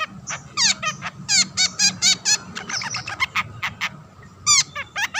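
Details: Long-tailed shrike in chattering song, used as a lure to set rival shrikes singing: rapid runs of short, high, buzzy and rattled notes, several per second, with a brief lull before a final burst.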